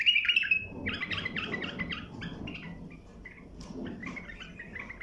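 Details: Bulbul song played to tutor young birds: a clear high whistle opens, then fast warbled, slurred notes in quick runs, fading into softer scattered phrases over a low steady hum.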